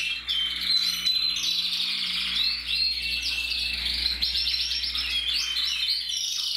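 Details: Red mosaic agate canary cock from a breeding aviary, dated 1 November 2024, delivers an unbroken run of rapid rolling trills and high whistled glides, bright and continuous, with a faint low hum underneath.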